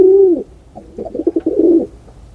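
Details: Pigeon cooing: a long smooth arched note, then a burst of short throaty pulses rolling into a second sustained coo.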